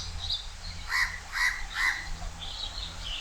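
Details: Loud house crow calling from a high perch at Changi Beach Park, Singapore: three strong, harsh caws about half a second apart. High chirps from other birds sound before and after, with a low background rumble.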